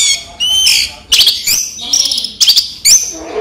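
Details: Captive orange-headed thrush singing in daytime: clear whistles alternating with short loud bursts of sharp chirps, phrases spaced about half a second apart.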